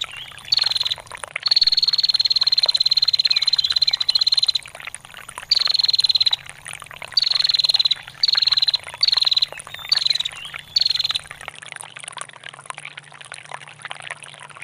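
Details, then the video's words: Long 'ngetir' call of a female bar-winged prinia, used as a tutor for songbirds: a long run of fast, sharp, high trill bursts, some over two seconds, falling slightly in pitch, fading out near the end, with babbling water throughout. "SUARA PRENJAK BETINA GACOR NGETIR PANJANG"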